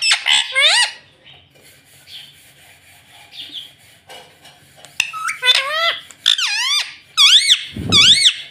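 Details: Pet ringneck parrot mimicking the words "mummy" and "mitthu", giving a loud harmonic burst at the start, a quiet gap, then a string of rising-and-falling speech-like syllables and a low thump near the end.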